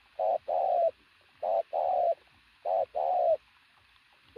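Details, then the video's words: A pigeon gives three strong coo phrases, each a short hoot followed by a longer, level then falling note, about a second and a quarter apart, with a clean quiet background. "bổi thổ bồ câu tướng lực sĩ,,Gù âm to cực tốt"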